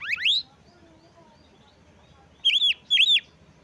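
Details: Oriental magpie-robin singing to provoke rival magpie-robins and stir their breeding urge: a rapid rising sweep, a pause, then two loud arched whistled notes with harmonics.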